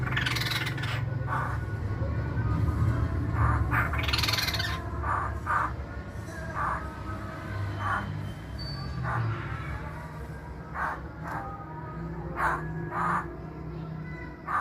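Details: Masked laughingthrush, a formerly popular pet bird, producing a series of short scratchy bursts spaced irregularly, one or two per second, with a couple of longer harsh rattles, over a droning low hum.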